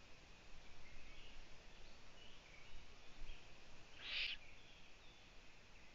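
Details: Owl chicks at the nest, two having moved out onto a balcony, produce a single sharp rasping hiss late in the recording over quiet rumbling background noise.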